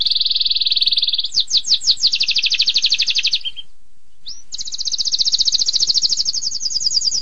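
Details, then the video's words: Long canary song in the sharp 'tembakan pedas' style: a steady buzzing trill, loud sweeping notes leading into a rapid rolling trill, near silence, then a bright continuous high trill rising slightly in pitch. "Suara Kenari Tembakan Pedas Durasi Panjang"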